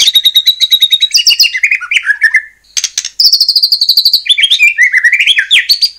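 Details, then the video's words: White-rumped shama singing to trigger song from other shamas: long rapid trills of repeated notes, descending warbled phrases, a short gap, then more fast trills and swooping whistles. "murai batu gacor AMPUH buat PANCINGAN murai batu agar bunyi JADIKAN burung murai gacor EMOSI NYAUT"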